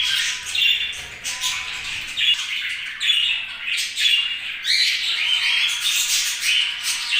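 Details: Budgies keep up lively, uneven chatter of squawks, buzzy chirps and short whistles with hardly a break.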